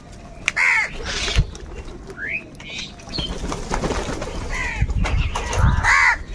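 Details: Crows squabbling over food, harsh caws at the start and end with scattered softer calls and flapping or rustling sounds between.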